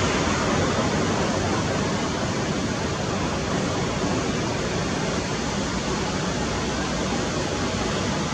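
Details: Continuous broadband rushing noise, like strong wind or running water, throughout with no animal voices.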